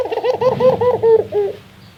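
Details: A Barbary dove laughs, a call said to be very rare: six or so rapid, bouncing hoots in a fast chuckling series lasting about one and a half seconds, fading out afterwards over a soft low hum.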